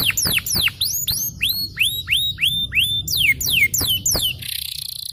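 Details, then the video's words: Champion yellow canary singing a long song of clear whistled notes, some rising and arching, others dropping steeply, given about three per second and ending in a buzzy high trill. "The choice of the yellow Canary is the cool long sound of the champion"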